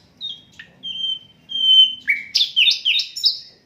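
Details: Unedited song of an Asian brown flycatcher, used for tutoring songbirds: sweet level whistled notes with short pauses, then quick falling slurs repeated several times in a rhythmic burst.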